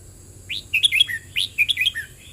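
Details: Back-to-back song phrases of a red-whiskered bulbul: rising upsweeps leading into crisp, rollicking whistled notes that end in falling slurs, with a quiet background.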